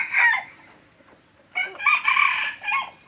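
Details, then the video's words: Red junglefowl from Aceh, a bird used for luring wild junglefowl, gives a short hoarse crow: a brief harsh burst, a pause, then a longer rasping phrase ending in a clipped final note. "Ayam Hutan Aceh # Pikat Ori."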